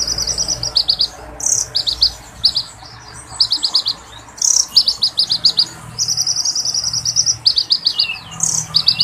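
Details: Oriental magpie-robin in vigorous song, with fiery long rolls and varied fill-in phrases meant to draw replies from other magpie-robins. Short high trills alternate with grouped chirps and several harsh scratchy bursts.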